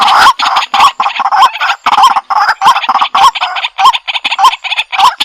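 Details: Harsh, grating croaks from a white-breasted waterhen run together in a fast, irregular chattering series with hardly any pauses, each croak noisy and rough.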